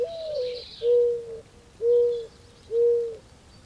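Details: Mourning dove, a falling slurred note trailing into three low, steady, breathy coos evenly spaced about a second apart; faint high bird chirps at the start.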